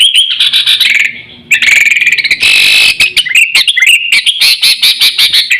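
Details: Sooty-headed bulbul lure call for attracting wild birds and tutoring caged birds: a short chirp run, a brief lull, then a burst of harsh buzzy chatter followed by quick staccato chirps.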